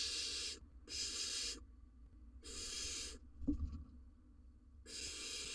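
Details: Barn owl at a nest box on a live camera in Israel, breeding season, the male arriving with a rodent for his nestling; harsh breathy hisses of under a second each, four in all, with a soft thump between.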